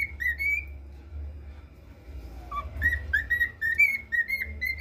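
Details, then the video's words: A pet cockatiel that is learning the Brazilian national anthem whistles the tune in clear, slightly wavering notes, rising and falling in short phrases, over a low background hum. "calopsita cantando o hino nacional"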